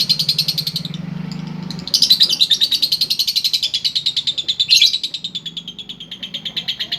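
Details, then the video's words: Female lovebird giving konslet-style chatter: a fast, unbroken stream of high, buzzy chirps that pauses briefly near the start, then resumes even louder and keeps rattling on with sharp accented notes. "Love bird Betina Konslet"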